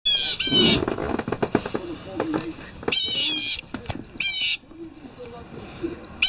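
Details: Blue jays calling in the morning, loud enough to wake the listener; harsh, buzzy, nasal calls in three bursts of about half a second each, spaced one to two seconds apart, over softer background sounds.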